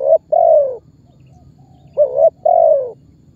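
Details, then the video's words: Spotted dove lure call for drawing target birds near; two phrases, each a brief double note then a longer, gently descending coo, clear over a quiet background. "SUARA BURUNG TEKUKUR MEMANGGIL DAN MENEKAN MEMBUAT BURUNG LAIN IKUTAN BUNYI"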